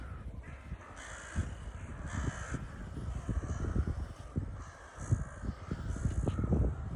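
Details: Gathering of crows on the Baltic shore at Liepaja beach in Latvia, heard during a beach walk: harsh, drawn-out caws repeated every second or so over loud wind, sea noise and footsteps on sand.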